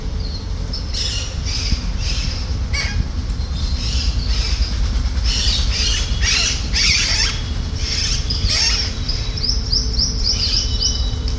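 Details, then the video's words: Free-flying Alexandrine parakeets and chicks feeding: irregular loud rasping squawks scattered through the recording, with a brief series of thin high chirps near the end, all over constant low-pitched rumbling noise. "Alexendrine Parrots Eating Chirping"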